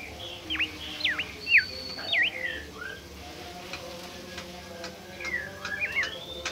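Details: Bimoli bird, a shy and rare species, singing after being provoked with a lure recording; clear whistled notes sweeping sharply up and down, several phrases in quick succession, with fainter similar whistles later over a steady background hum.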